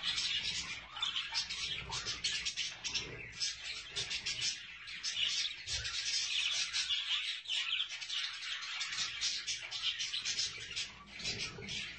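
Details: A group of budgerigars with chicks keeps up a long, lively stream of rapid chirps, clicks and warbled squeaks, briefly easing before building again.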